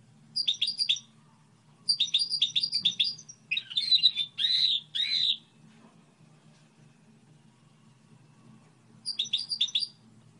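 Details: Goldfinch hybrid song: short clusters of high, tinkling chirps, a few louder warbled notes, then silence before another brief twitter burst; background low hum.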